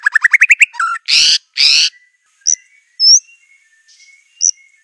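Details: White-rumped shama of the Aceh type, master song for training birds: quick rising run of chirps, two harsh buzzy bursts, then scattered sharp whistled notes separated by short pauses.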